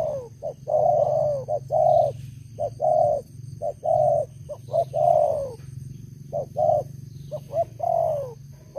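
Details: An old decoy spotted dove kept for luring, said to have a big voice, gives soft hollow coos in uneven runs of short and drawn-out notes, several ending in a downward slur, over a constant low mechanical hum.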